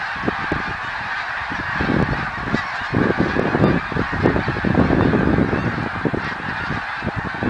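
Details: Snow geese in 2014, a huge flock honking nonstop; nearer barking calls stand out from the blended chorus, growing louder after two seconds, with low rumble throughout.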